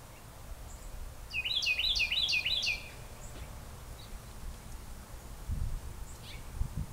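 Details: Brown Thrasher at a nest where the fifth and last chick hatched, 5/2/20 at 2:38 pm: a quick run of about five bright, slurred high chirps over 1.5 seconds, then a faint lone note, over low rumbling.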